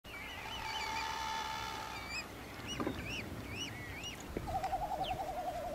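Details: Yellow-crowned Night-Heron (subspecies pauper) on Genovesa, Galápagos, Ecuador, in May 2012 gives a long, hoarse, nasal squawk, then a rapid buzzy rattle, with thin wavering whistles from other birds around it.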